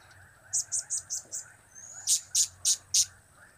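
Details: Blue-crowned hanging parrot repeating high, clipped notes from its cap-cap, kiak-kiak and crap-crap calls: five quick softer ticks, then four louder, harsher ones spaced evenly.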